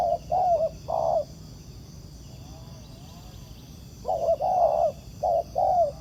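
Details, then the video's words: Spotted dove, a wild bird responding to a decoy while being trapped: a few low paired coos, a silent gap of about three seconds with only faint hiss, then further short-and-long falling coos. "Bẫy cu gáy mồi đất, gặp chú bổi gù tốt, đẹp chim, có tố chất"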